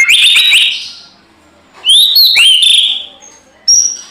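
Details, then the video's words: Fighting-mood white-rumped shama song used as a lure for other shamas: a rich whistled burst, a pause, then sliding whistles and a sharp falling note, followed by a thin high whistle. "CUMA SEBANTAR MURAI LAIN IKUT GACOR TARUNG"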